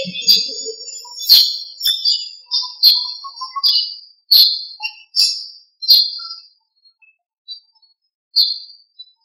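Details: Morning birdsong after rain: a series of high, clear whistled notes repeated roughly every half second to second, some with quick sharp attacks, thinning out toward the end, over a quiet background.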